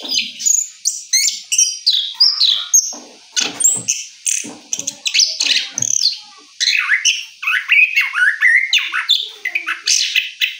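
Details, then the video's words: Orange-headed thrush after its moult, singing a rolling song: rapid varied phrases of sweet whistles, slurred notes and scratchy trills, delivered in bursts with short pauses, loud and close, with faint clicks below. "Anis Kembang Ngeroll Setelah Mabung"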